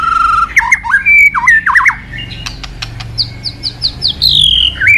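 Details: White-rumped shama singing a loud, varied phrase: rich whistled notes rising and falling, quick slurred trills and squawky accents, then a run of high, sharp repeated notes ending in a falling whistle.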